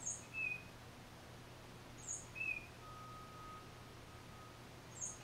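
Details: Single tufted titmouse phrases, recorded on a Nikon D3500 with a Tamron 500mm lens: a high sharp note, then a lower short whistle, repeated about every two seconds, with a faint hum in the background.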